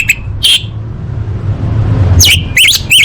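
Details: Orange-headed thrush training song: two brief piping notes, a pause filled by a low hum, then a fast series of bright, wavering whistled phrases that rise and fall.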